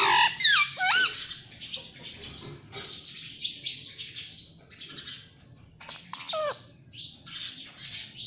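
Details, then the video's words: Pet talking parrot, filmed while being taught to say mummy and papa; loud sweeping, whistled chirps open the recording, then softer scattered squawks and chatter continue at a quieter level. "Mummy Papa Bolne Wala Tota || Talking Parrot || Pattu Parrot Talking"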